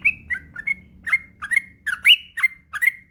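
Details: Yellow-vented bulbul singing for a master recording meant to set other bulbuls singing; crisp, loud, bubbly notes, some rising whistles, spaced about three per second against a quiet background.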